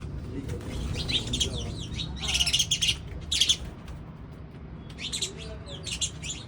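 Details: Sparrows in the morning give bursts of quick, sharp chirps in dense clusters, loudest in the middle, with short gaps between them. Low background rumble and some voices are heard.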